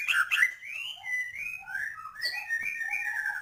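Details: White-rumped shama song with full filler phrases: two sharp opening notes, then smooth, fluting whistled phrases that glide up and down, ending in warbled notes.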